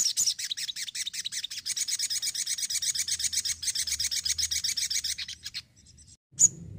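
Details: ['High, thin, continuous trill from an energetic Crimson sunbird, notes delivered very rapidly for about five seconds before stopping, followed by a single sharp chirp.']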